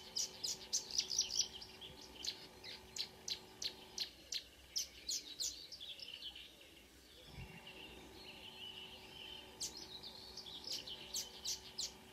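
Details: At dawn on 2 June 2009 near Ski, Norway, a Marsh warbler sings: rapid, evenly spaced sharp high notes repeated about five per second, then a softer varied warbling passage before the quick repeated notes return.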